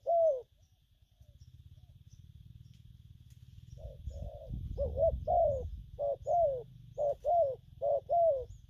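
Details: Spotted dove, a newly caught bird, with gù phóng, gù kèm and gù lăn cooing: one falling coo, a quiet pause with rumbling noise, then a rapid run of short paired coos about once a second.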